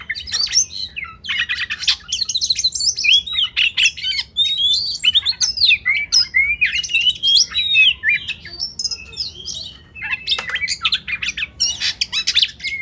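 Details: Rich, unbroken kacer song as masteran, a tutor recording for training competition birds: Oriental magpie-robin phrases of twisting whistles, chattering notes and sharp squeaks, pouring out for the whole stretch with almost no gaps.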